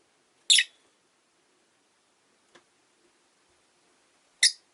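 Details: Caged rosy-faced lovebirds kept indoors by a window: a single shrill chirp, near-silence with a faint tick, then another sharp chirp about four seconds later.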